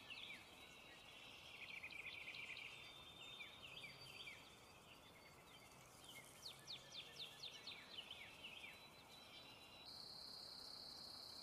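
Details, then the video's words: American kestrel calling in a rapid run of sharp, high notes, with one burst early on and a second faster burst in the middle, all over a steady, shrill insect drone. "American kestrel call sound"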